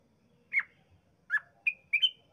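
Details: Lure song of a sooty-headed bulbul meant to set other bulbuls singing: four or five short, bright, slurred whistles spaced irregularly, the last ones in a quick pair. Quiet background.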